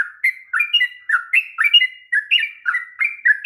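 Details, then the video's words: Sooty-headed bulbul song used as a lure for reluctant singers; bright chattering whistles sliding up and down, delivered in quick pairs, clear and close without other sounds. "kicauan TRUCUK ROPEL PANJANG// perangsang bunyi trucukan malas bunyi"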